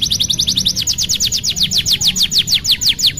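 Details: Canary singing as a tutor song for young canaries learning to sing: a rapid trill of repeated downward-sweeping whistled notes, quicker at first then slightly slower, with a low hum beneath.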